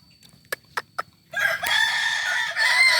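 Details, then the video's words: Kokok Balenggek roosters at a final practice crowing contest in Ampang Kualo, Solok, Indonesia, Sunday 8 September 2024: a few sharp clicks, then a sudden dense chorus of long, wavering, many-noted crows from several birds overlapping. "latberan ayam kukuak balenggek"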